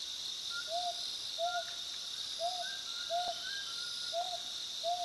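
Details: Short, clear whistled hoots from a scops owl, identified as Spotted scops owl, repeated roughly once a second over a steady high insect drone, with faint higher whistles behind; finding: Mountain scops owl.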